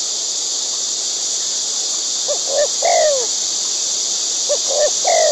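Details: Wild white-breasted waterhen, one of a nesting pair feeding its chicks: two phrases of short low notes, then a loud down-slurred croaking note. Over it runs a steady, loud, high insect drone.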